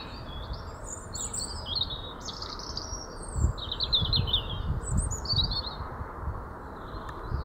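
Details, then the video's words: Robin giving a short song: a run of high, thin, warbled phrases, each brief and varied, some sliding and twittering, delivered in quick bursts across the recording over a steady low rumble of background noise. "Robins short song."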